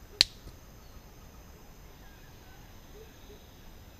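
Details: Orange-collared manakin on a lek at Bosque del Rio Tigre, 18 February 2014: one sharp, loud snap, followed a moment later by a much fainter one, over quiet hiss.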